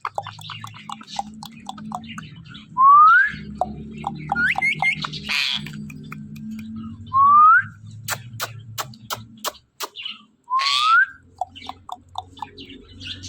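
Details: Pet parrot indoors giving loud rising whistles, each about half a second long, spaced a few seconds apart, between softer chatter, clicks and sharp taps; a low steady hum runs underneath.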